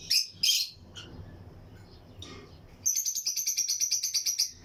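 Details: Lutino lovebird pairs in a flight colony aviary: two short harsh, high chirps, a quieter pause, then a long, even run of rapid shrill notes, about a dozen in under two seconds.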